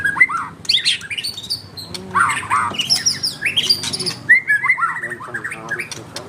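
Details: White-rumped shama in lively song: varied rich whistles, sweeping slurs and sharp chattering notes in quick succession, over a steady background hum.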